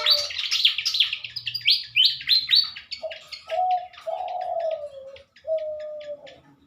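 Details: Pied fantails in a breeding pair set-up, recorded in the morning in 2023: dense high chirped notes sweeping up and down, which thin out as soft low coos from another bird take over.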